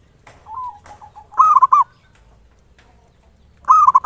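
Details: Local zebra dove, ngayer nulop style lure song to provoke singing: soft wavering coos lead into a loud, quick bubbling phrase, followed after a pause by another, with a steady thin high whine.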